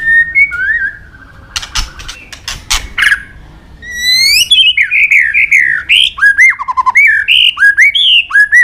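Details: Murai batu (white-rumped shama) singing constantly with rich inserts: soft whistles and loud clicks, then a long flowing phrase of fluty slurs, rapid twitters and down-swooping whistles repeated in quick succession.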